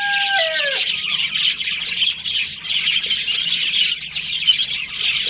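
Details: Budgie colony in breeding season: a rooster's crow ends within the first second, then many budgies keep up a dense, high, overlapping chirping and twittering with occasional sharp squeaks.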